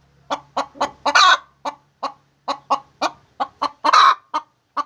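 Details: Laying hen clucking steadily in short evenly spaced notes, two louder rasping squawks standing out, over a faint low hum in the first half.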